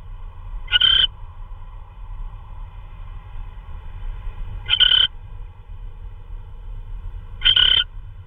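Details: An owl delivering prey in the early hours of 16 March 2013, 3:12 AM, gives three short rasping bursts several seconds apart against a steady low hum.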